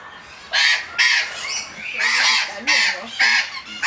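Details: Patagonian conures in a group, including two preening pairs, in an aviary at the Botanical Gardens in Funchal, Madeira; harsh, raspy squawks repeated about every half second, with a lower grating call between them.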